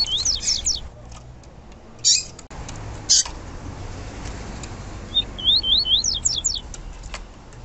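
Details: Yellow-bellied seedeater female, whose call is played to excite male birds kept at home: a burst of high scratchy chirps, two separate sharp chirps, then a rapid string of rising zigzag notes.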